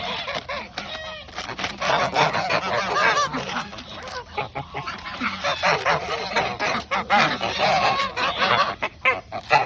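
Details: Flock of geese enjoying a snack before bedtime, a continuous dense clamour of overlapping honks and harsh chatter.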